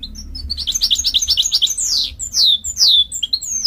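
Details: Canary x goldfinch mule singing a rapid run of bright, repeated twittering notes, then sweeping descending whistles and high chirps, all high-pitched and lively with no other sounds.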